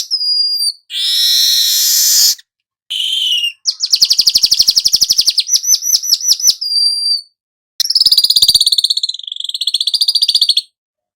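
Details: Golden-headed weaver, recorded for teaching other songbirds: thin high whistles and a hissing buzz lead into a long, fast mechanical chatter with slurred notes at about four per second, then a rattling, wavering buzzy trill.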